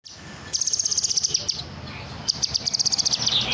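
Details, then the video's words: Kinoy bird singing in two bursts of rapid, evenly repeated high thin notes, each burst about a second long with roughly twenty notes, the second ending with a slight downward slur; faint background noise. "burung kinoy gacor"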